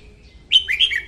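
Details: Single quick phrase from a singing female red-whiskered bulbul at morning, used to coax other bulbuls to sing and to trap them: a bright, liquid trill of three slurred notes, stepping downward.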